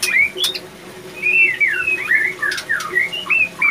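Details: Captive-bred male white-rumped shama in breeding condition giving clear slurred whistles, rising then falling notes in quick succession, over a constant low hum with sharp clicks.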